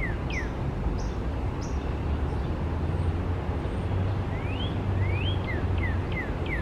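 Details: Female and male northern cardinals in Central Park, New York City, April 2020: sharp downslurred whistles, a pause, then two rising whistled slurs and a run of fast descending notes, with steady city traffic rumbling underneath.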